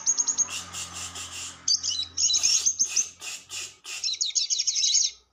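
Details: Lovebird, extended chattering used to lure wild lovebirds: quick high ticking notes, then loud scratchy, squeaky bursts with short gaps, ending in a fast run of shrill chirps over about five seconds.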